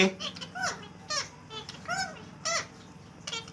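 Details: Pet green rose-ringed parakeet talking indoors, one of two birds that squabble and chatter to each other; faint, short speech-like harmonic syllables, bending up and down, come in separate bursts with quiet gaps between them.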